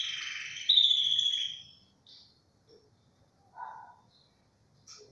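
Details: Tricolor Belgian canary giving a loud, sustained warbling phrase with bright whistled tones, which fades after about two seconds into a few scattered soft chirps separated by near-silence.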